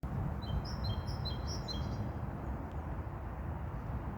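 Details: Mourning wheatear singing in the wild: one short phrase of thin, high whistled notes in quick succession, fading after about a second and a half, over a heavy, steady low rumble of background noise.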